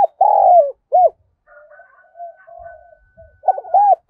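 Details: Spotted dove used as a decoy to draw in wild birds: a loud, full coo sliding downward, a short arched note, a stretch of faint thin tonal sounds, then renewed wavering coos ending on an arched note.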